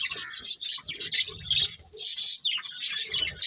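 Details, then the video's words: Budgies of a breeding colony utter a lively high chatter of twittering chirps and scratchy trills. A low rumbling or rustling sound runs beneath the chatter at about one and a half seconds. "Cute Budgies Chirping Sounds"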